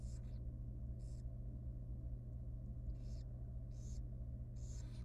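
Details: Small wild barn owl nestling at feeding time inside a nest box, producing several harsh snoring hisses, some in quick pairs, above a continuous low electrical hum.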